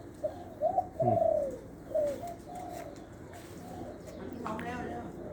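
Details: Spotted dove kept as a decoy bird in Lopburi, Thailand, with a middle-pitched voice and a single 'kuk' note. Several soft, low coos come in the first two seconds, followed by fainter sounds and a brief human voice near the end.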